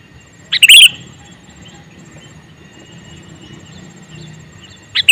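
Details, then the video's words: One loud, bubbly chirped phrase from a calling male sooty-headed bulbul. A long quiet stretch follows, then the start of the next call at the very end. "Suara Burung Kutilang Jantan MeManggil"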